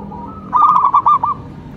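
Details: Local zebra dove giving one short song phrase: a soft lead-in, then a quick trill of clipped cooing notes that ends in two separated coos.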